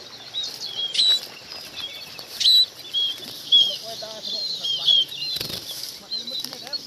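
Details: Munias calling the flock together: scattered thin, high chirps and short slurred notes come every second or so over a soft wash of wing flutter and background rustle, with one louder thump near the end.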